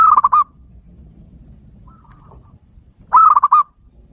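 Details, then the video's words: Zebra dove (perkutut) singing in the kerot and bekur styles, used to provoke other doves: two bursts of rapid, staccato, trilled cooing notes at the start and near the end, with a faint shorter phrase between them. "Pancingan Perkutut Gacor KEROT dan BEKUR Bikin EMOSI !!"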